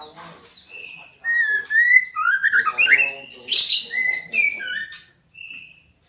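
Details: Female white-rumped shama calling to draw a male into singing; a run of clear whistled notes at varied pitches mixed with buzzy, rasping phrases, then a soft final whistle.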